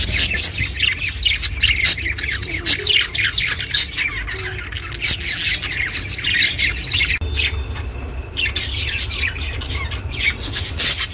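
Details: Pet budgie chirping, recorded as company for budgies kept alone; dense, fast chatter of short high chirps and scratchy notes with hardly a pause, over a low steady hum.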